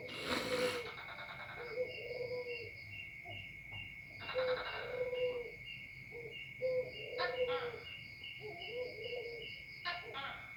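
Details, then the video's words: Spotted dove, described as very vocal, repeating low mellow cooing phrases at a distance. A steady high insect buzz runs throughout, with a brief burst of noise at the start. "BURUNG TEKUKUR SUPER GACOR"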